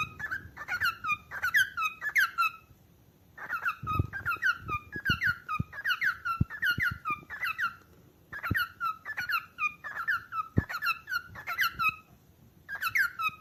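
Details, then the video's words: Cockatiel calling in bursts of rapid, sharp, downslurred chirps, several per second, in runs of one to three seconds with short silences between, alongside intermittent knocks and clicks nearby. "calopsita cantos ✅som de calopsita chamando"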